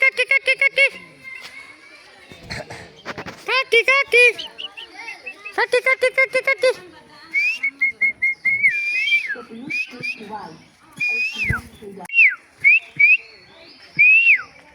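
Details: A pet myna mimics speech in bursts of repeated syllables as a person prompts it to say "Rifat" and "kaka", then gives sharp rising-and-falling whistles; the person's voice prompts it in between.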